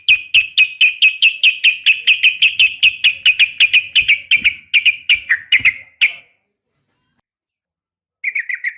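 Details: Female yellow-vented bulbul calling to draw a response from males, uplik tarung type: a steady run of about twenty sharp, evenly repeated chirps lasting six seconds, then silence and a short final burst.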